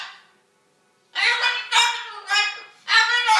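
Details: A cockatoo imitates a quarrelling couple. After a short silence come four loud, clipped speech-like phrases in quick succession, harsh and insistent in tone.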